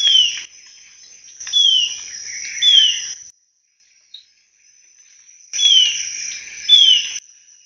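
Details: Alagoas antwren (Myrmotherula snowi) giving short, high, downslurred whistles in loose clusters, with a steady shrill insect drone throughout.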